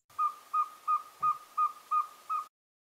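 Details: Northern Saw-whet Owl from Newfoundland giving its beeping call, kept up for minutes at a time and likened to a truck backing up: seven short, even, whistled toots evenly spaced about three per second, with a faint thump in the middle.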